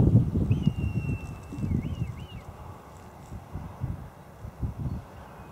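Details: Red kite calling in flight: a long thin whistle followed by two quick wavering looped notes, against steady low wind noise.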